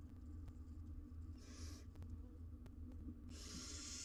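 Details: Wild barn owl nestlings, four in a monitored nest box in Israel, wait together while the mother is out. A rough, airy hiss rises midway, and a second, louder hissing burst starts near the end over a low steady hum.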